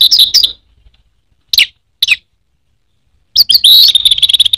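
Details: Caged orange-headed thrush, a popular kept songbird in Indonesia, giving high chirpy notes, two short isolated calls after a pause, then a dense trilled twittering phrase.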